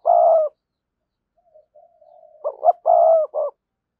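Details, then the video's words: Spotted dove decoy for luring wild doves: a long low coo, faint soft notes, then a phrase of two rising notes, a sustained coo and a short final note. "cu gáy kích bổi hiệu quả/ giọng nhạy bổi nhất hiện nay"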